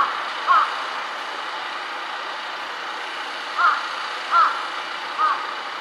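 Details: A large-billed crow perched on a power line, varying its calls, gives four short, clear, slightly hooked notes, spaced irregularly over several seconds, against a steady rush of traffic.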